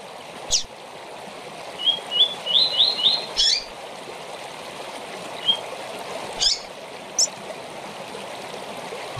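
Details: Seedeater song for tournament training: a quick run of five upswept whistled notes ending in a sharp buzzy note, then scattered high clicks and a single slur over continuous hiss.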